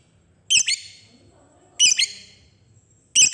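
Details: Fighter lovebird's 'ngetik' calls, meant to set other lovebirds singing: three grating high squawks, each split into a quick double note, roughly every one and a third seconds.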